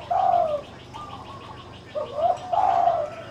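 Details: Spotted dove calling from the left cage: a loud low coo, a short pause, then a rising-falling pair of mellow coos ending in a drawn-out descending note, with a steady background hum.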